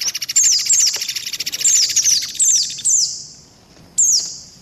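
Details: A white-eye gives a busy, very high lure chatter: fast twittering trills broken by thin, sliding whistled notes falling in pitch, repeated every half second or so.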